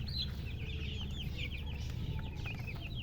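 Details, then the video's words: Baby chickens calling in a short burst of shrill, down-slurred peeps, tumbling over one another against a low rumbling background. "Witty MURGI Baby "Chicks Chirping" Sound"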